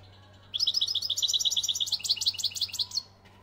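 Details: European goldfinch from Algeria singing: a bright, rapid run of high tinkling notes, about three per second, lasting some two and a half seconds, then stopping; faint steady low hum behind.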